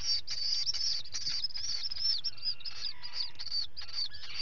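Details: High-pitched, rapidly repeated piping notes from a common guillemot chick being fed, recorded on a live camera on 11 July 2020, over a constant low rumble.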